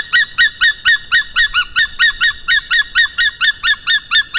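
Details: Estonian white-tailed eagles, male delivering a fish gift before mating, recorded 22 March 2023 at 1:53 pm; a steady fast chain of ringing, nasal yelps, about two per second, evenly spaced and unbroken.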